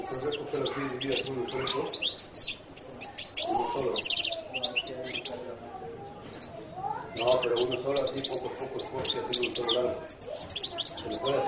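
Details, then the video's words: Latin goldfinch delivering a long, high twittering song of rapid chirps, slurred whistles and trills, briefly pausing near the middle, with lower murmuring sounds beneath. "canto de jilguero latino"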